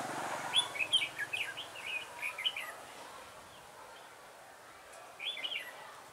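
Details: Red-whiskered bulbul decoy singing to lure wild birds into a trap on 3 November 2017: a burst of short, bright warbled phrases rising and falling, then a pause and one more brief phrase, over a soft outdoor hiss.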